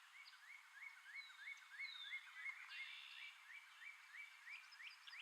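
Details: Male red-headed woodpecker hiding food in tree holes, giving a steady run of short rising chirps about three each second, with a long, thin, falling whistle from another bird partway through.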